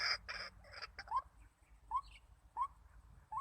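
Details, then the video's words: Trapping decoy White-breasted waterhen gives a few well-spaced rising notes after some louder broadband bursts at the start, with a quiet background between calls. "Hasil Denak Pemikat Burung Ruak-Ruak Memikat/White-breasted Waterhen"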